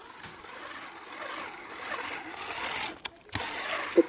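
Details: Broad hiss and mechanical rumble with a couple of sharp clicks, no clear animal voice.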